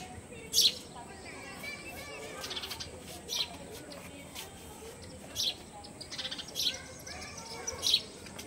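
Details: Sparrow inside a house, giving short, sharp, high chirps, spaced irregularly, about five across eight seconds, over a steady low indoor background murmur.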